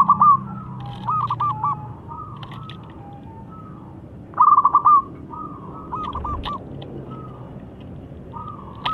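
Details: Zebra dove in 'crystal voice' song, used to coax reluctant doves into singing: repeated mid-pitched phrases, each a clear coo followed by a rapid rolling burst of short notes, about every two seconds, with steady low hum and a soft thud.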